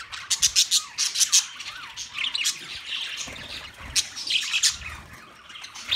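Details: Caged budgerigars, 9 March 2024: bursts of sharp high chirps and squawks in quick clusters, with some rising and falling warbled notes between them, several birds calling together.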